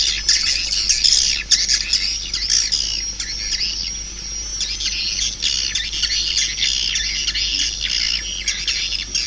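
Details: Busy swiftlet chorus of shrill squeaks and chirps layered densely together, rising and falling in loudness with brief quieter gaps.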